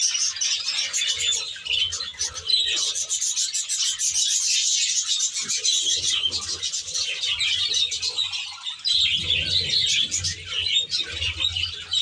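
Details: An aviary flock of Australian budgerigars chattering nonstop, a thick blend of squeaky chirps and rapid warbles layered over each other, with a faint low mechanical hum in the background.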